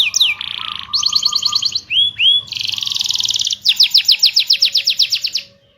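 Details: Rolling canary song, played to set off silent canaries: a falling whistle, a buzzy trill, two rising-falling slurred notes, a long pulsed trill, and a final run of rapid sweeping whistles fading to quiet.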